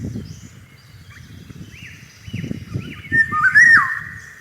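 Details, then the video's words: Eurasian golden oriole singing in spring among cherry blossom: a loud, fluting whistled phrase near the end, preceded by quieter short rising notes and other distant birds, over low rumbling background noise. "Иволга. Пение птиц."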